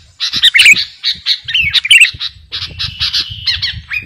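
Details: Sooty-headed bulbul, 'garuda' type, in busy master song for trainee or lured birds: harsh squawky and chattering phrases, two loud rasping peaks early, then quicker chirps above faint low rumble.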